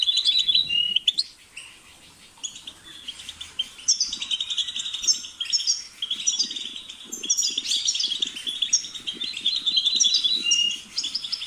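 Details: European goldfinch pouring out a long, dense twittering song of rapid chirps, trills and buzzy runs, with faint low rustling beneath.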